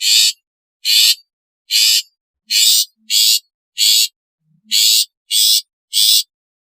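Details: Series of ten scratchy, buzzing rasps from a long-tailed shrike, presented as its natural, alarm and lure calls, delivered in uneven groups over about six seconds, with faint low clicks between them.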